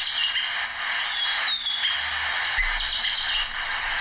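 Orange-bellied Euphonia singing a continuous run of high, thin twittering and chattering notes with short whistled slurs, all in a dense high-pitched stream.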